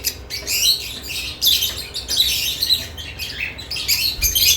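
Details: Several lovebirds busy with freshly added nest boxes chatter almost nonstop in harsh, high, overlapping chirps, with short bursts every half second or so.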